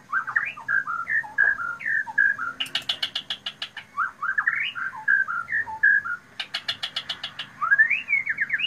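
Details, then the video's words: White-rumped shama (murai batu) singing varied, mid-pitched whistled phrases that slur up and down, broken twice by rapid, very high clicking bursts, then more fluid whistling. "MURAI BATU. PEKIK NYARING"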